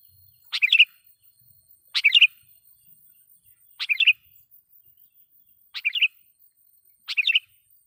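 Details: Sooty-headed bulbul, loud lure song used to make wild bulbuls aggressive; five short bubbly phrases of quick liquid notes, repeated every one to two seconds.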